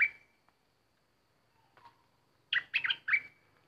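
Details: Bulbul kept as a decoy, with an uninvited intruder present. A trailing whistled note opens, then a quiet pause, then a loud phrase of three quick, bubbly, looping notes ending in a long, fading level whistle.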